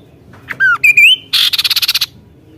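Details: Kaso-kaso in gacor nembak song: a falling whistle, then a rising slurred whistle, then a harsh broad burst that breaks into a rapid train of about ten clipped, rattling notes, with a quiet background.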